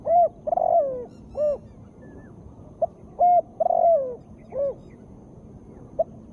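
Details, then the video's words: Female spotted dove calling, a recording played to prompt lazy birds to sing: low, soft hooting coos, some drawn out and falling, delivered in irregular groups with short gaps between them. "Tekukur gacor suara betina"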